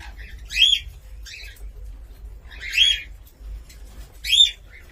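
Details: Cockatiel giving three loud, ringing whistled calls about every one and a half to two seconds, each arching up and down, with softer chirps between them.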